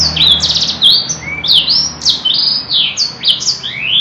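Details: Canary singing a long, elaborate song: rapid high whistled notes and fast trills that jump between pitches, some sweeping up and others down, in a continuous stream, with a low background hum.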